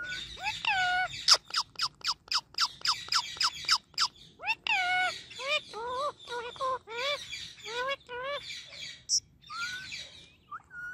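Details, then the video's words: Pet Indian ringneck parakeet, described as friendly and talking, giving a fast series of sharp clicks and chirps followed by rising and falling whistled notes and speech-like warbles repeated about every half second. "My Non Stop Talking Ringneck Parrot"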